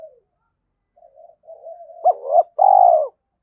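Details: Spotted dove decoy calling to provoke rivals to fight: quiet low murmuring coos build into two abrupt clipped notes and a final long, loud, hoarse coo.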